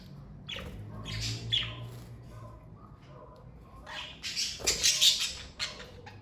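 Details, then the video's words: A family of pet budgerigars gives quieter scratchy chatter that builds into a loud burst of harsh squawks and chirps near the end, with a low hum underneath. "Birds Chirping Sound Effect!"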